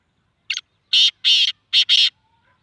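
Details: Black francolin calling in Sindh, Pakistan: one short clipped note, then two long harsh rasping notes, a brief pause, and a second pair of loud grating notes, all within about two seconds. Still, quiet surroundings.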